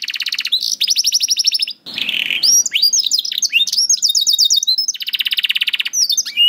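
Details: Canary master song for training juvenile canaries and slow singers to sing: dense rapid trills, a brief harsh buzzy burst, then rolling repeated notes and rising-falling whistles in quick succession.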